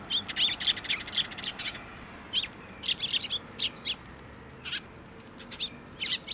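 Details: Fledgling Eurasian tree sparrows flocking into a plum tree at a Tenmangu shrine on 26 May 2024, waiting for food: dense bursts of shrill, high chirps tumbling rapidly, then sparser spaced chirps, several young calling at once.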